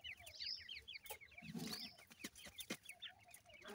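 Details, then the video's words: A brood of francolin chicks calls while being fed: rapid rows of small high peeps, now and then a longer squeaky note, over a low murmur and sharp intermittent clicks. "Teetar chicks ke awaz"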